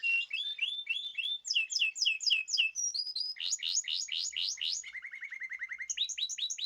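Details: Chorus of caged birds on 14 March 2026: strongly repeated looping whistled notes, rising and falling in quick succession about four per second, shifting to a low fast chip series before higher notes return.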